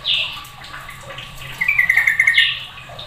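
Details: Sooty-headed bulbul calling loudly among other bulbuls joining in. A bright opening note, then a quick chattering run of repeated notes, ending with a rising phrase, over a low background hum.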